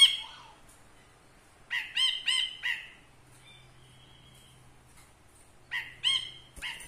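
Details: Caged ashy bulbul kept as a master tutor bird, singing in front of the camera: clear bursts of bright, stacked whistled notes in short phrases, the last ones rising, separated by pauses, with a faint low hum beneath.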